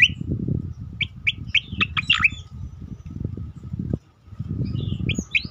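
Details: Striated grassbird (cicakoreng) in the 'tembakan' style, used for training and provoking other birds: a run of sharp high chirps and a swooping whistle, then short notes near the end, over heavy low rumbling background noise.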